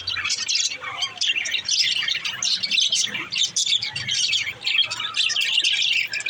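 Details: Budgerigars kept as pets give a lively, unbroken twitter: rapid high chirps, scratchy squeaks and warbled notes that overlap throughout, with occasional louder squawky bursts.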